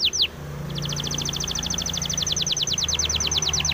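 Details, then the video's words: Spanish timbrado canary performing a song for training canaries. A pair of sharp slurred notes leads into a long, fast, level trill of crisp repeated notes. "SPANISH TIMBRADO SONG FOR TRAINING - canary training song"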